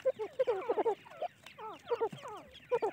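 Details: Teetar (francolin) chicks peeping in quick bursts, clear downslurred chirps clustered in groups of three or four with short pauses between, a few softer overlapping peeps in the background.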